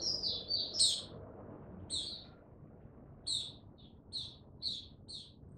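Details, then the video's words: Caged male Mata Puteh, or white-eye, not yet fully opening his song, slow and steady, dated 06032022. A brief burst of fast, high twittering is followed by short, sharp chirps spaced roughly half a second apart, over a soft background hum. "Mata Puteh Before he open buka"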